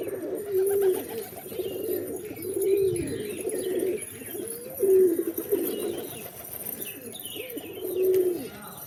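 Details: Pigeons give low, rounded coos, each phrase roughly a second long and repeated every second or two, with several birds overlapping and faint higher chirps in the background.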